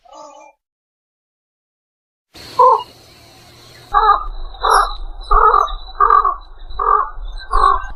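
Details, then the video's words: After a near-silent start, an egret croaks once, then utters a run of six rough, grating squawks at a steady pace of about one per second over a low hum. "suara burung kuntul"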